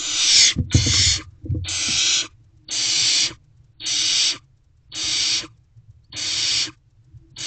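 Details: Barn owl nestlings in a nest box on the evening of 12 May 2023, begging and competing for food; steady run of harsh hissing screeches, each under a second, spaced about one second apart, with brief low scrabbling early on.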